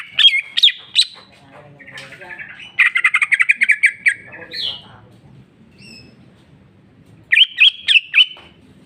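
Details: Greater green leafbird song said to be full of "jamtrok" with mimicked fillers: sharp high notes, a fast loud rattling trill in the middle, a rising squeak, and a closing run of clipped repeated notes.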